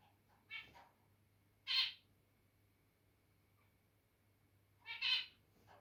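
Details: Captive zebra finches getting territorial: a few separate nasal, buzzy beeps, one loud pair near the end, spaced by quiet stretches over a constant low hum.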